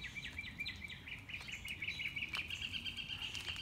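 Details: Mockingbird heard on a morning walk, running through its varied repertoire; a long run of fast, evenly repeated chip-like notes, steady and slightly rising, over soft background rustle.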